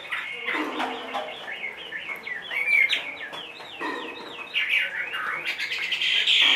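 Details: Large-bodied caged Chinese hwamei aged 2.5 years, described as singing anywhere, delivering a rich, dense stream of sweeping whistles, trills and chattering notes that grows louder toward the end.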